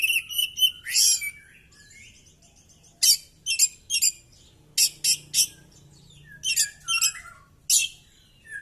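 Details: Oriental magpie-robin fighting with its tail open, pouring out varied material: a quick burst of clipped notes and harsh rasps, then spaced scratchy chirps about every half second, irregular in rhythm.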